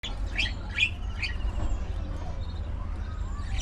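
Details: Budgerigars in a social colony, playing and socializing: a quick burst of bright, high chirps in the first second and a half, then only faint twitters over a steady low rumble.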